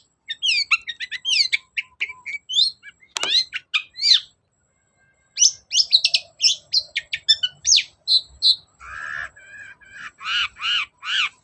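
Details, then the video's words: Varied long-tailed shrike song meant to spur lazy birds to sing: fast twittering and slurred whistles, a short pause, more quick chirps, then a string of harsh buzzy rasps repeated near the end. "BURUNG CENDET GACOR DOR || Pancingan cendet males bunyi agar nyaut gacor"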